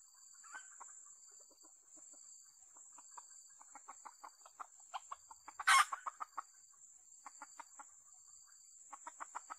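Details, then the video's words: Red junglefowl calling at a decoy site: scattered clucks build into quickening runs of short, clipped notes, broken once by a loud crackle, against a steady shrill insect hum. "ต่อไก่ป่า ไก่เสียงดีมาก"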